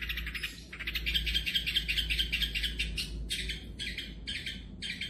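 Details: Long-tailed shrike, a champion songbird kept by bird lovers, delivering a fast, dense chatter of harsh, buzzy notes in rapid runs, then choppy bursts separated by short pauses, over a steady low hum.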